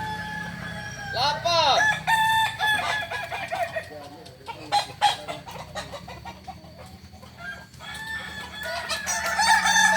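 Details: Kokok Balenggek roosters at a practice crowing contest in Ampang Kualo, Solok city. A loud arching crow is followed by broken, choppy crow bursts and overlapping roosters, with a final stretch of high crowing.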